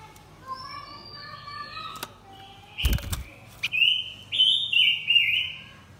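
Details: Lure song by a male and female blue-winged minla for drawing wild birds: thin descending whistles, a sudden loud rustling thump near the middle, then three bright whistled notes in quick succession.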